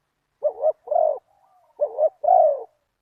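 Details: Decoy spotted dove calling toward a target bird in the deep '1 kuk' voice style: two low coo phrases, each a short clipped note followed by a fuller, drawn-out coo, with a soft hum between them.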